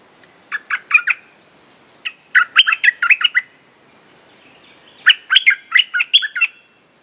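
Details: Bulbul mating call used as a lure to teach young birds: three bursts of quick, bubbly, warbled notes, each phrase about half a second, separated by pauses, over a quiet background.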